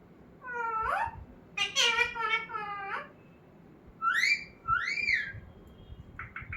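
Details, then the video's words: Talking parrot kept indoors uttering speech-like, voice-toned syllables, then two arching whistles and three short quick chirps at the end. "Talking parrot"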